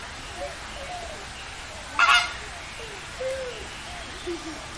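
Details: Greater flamingos, filmed in Asia and Europe, give goose-like nasal honks. One loud harsh honk stands out midway among softer, scattered calls from a flock in the background.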